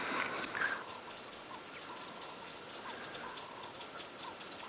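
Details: On an afternoon drive at Djuma Game Reserve on 13 April 2017, a Chinspot Batis gives soft, dry ticking alarm notes at an uneven pace, about two per second, near a waterhole where a predator was suspected.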